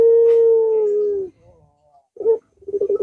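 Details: Puter dove of the long-voiced pelung type, played as a lure to get a silent or lazy dove cooing: one drawn-out, steady low coo lasting over a second, falling slightly at its end, then two short rough bursts.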